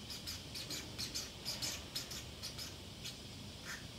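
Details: A pet Pacific parrotlet, home alone, makes quick runs of dry, high clicking ticks about twice a second, ending with one short chirp, over faint indoor background hum.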